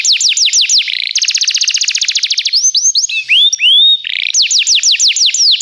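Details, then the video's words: Belgian canary singing a training song: fast rolling trills of high sweeping notes, a buzzy rapid roll, a few clear upslurred whistles, then descending swept notes repeated several times per second. "o melhor som canário !! treinamento canário belga cantando"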